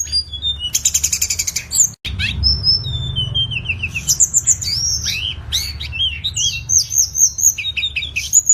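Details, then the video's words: Tledekan master song for tutoring songbirds: quick rattled chirps, a short break, then falling whistled phrases and lively varied high notes and slurs, low hum in the background. "MASTERAN SUARA BURUNG TLEDEKAN"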